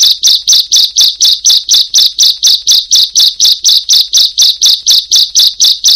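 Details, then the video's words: Bar-winged prinia song used as a training recording for birds that are reluctant to sing: sharp high notes repeated evenly about twice a second, with no other sounds. "MASTERAN BURUNG CIBLEK/PRENJAK PALING MERDU DI KELASNYA"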